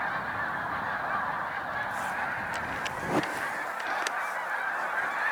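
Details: Spring-migrating Snow Geese in large flocks on Cayuga Lake, New York, 20 March 2021. A steady chorus of shrill overlapping honks, broken by a few sharp clicks and a brief thump.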